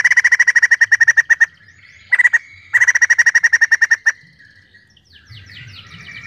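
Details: Vigorous song of a white-crested laughingthrush: bursts of fast, evenly pulsed notes separated by brief pauses, with a short tail of softer chattering at the end.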